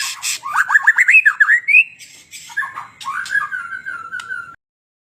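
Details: Magpie-robin delivering harsh rasping notes that run into quick rising whistled chirps, followed by a long sliding whistle that fades out.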